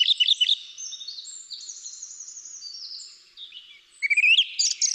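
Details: A Song thrush sings a classic phrase: a quick burst of repeated high notes, thin drawn-out whistles, then another phrase of short rising notes repeated several times.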